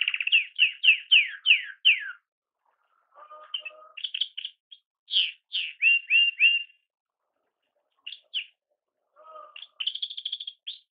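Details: Young pet canary, recorded a few days before its death, singing bright varied phrases: fast descending trills, short chirped bursts, and a few lower rattling notes between sections, with brief pauses and no other sounds.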